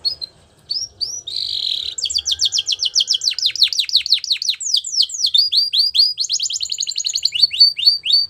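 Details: Canary song meant for training young canaries: a few separate whistles and a short buzz, then from two seconds a long unbroken run of quick descending notes and trills shifting through several tours.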